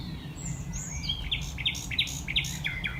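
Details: Common Nightingale singing late at night beneath a tree platform at the Knepp rewilding project, a former arable farm in West Sussex, in May 2018. Clear whistles are followed by a run of sharp repeated chirping notes over a steady low rumble.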